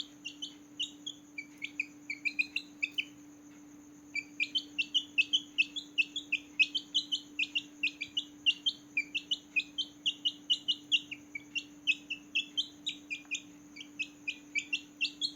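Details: Newborn baby chickens chirping at night, many short high peeps tumbling in a busy irregular chorus, a brief lull near four seconds, all over hiss and a steady hum.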